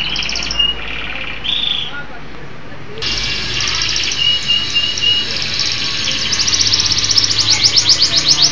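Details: Local canary giving short whistled phrases, then a long rolling high trill that grows louder and faster toward the end.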